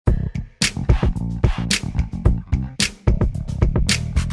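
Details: Funky music with plucked guitar, bass and punchy drum-machine beats plays throughout, with no animal voices.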